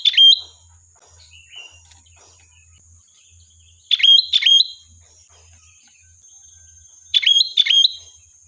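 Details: Lively sooty-headed bulbul song used as a lure to draw a reply: paired clear whistled phrases that drop and then hold a level note, delivered in three bursts a few seconds apart, with a constant faint high tone behind.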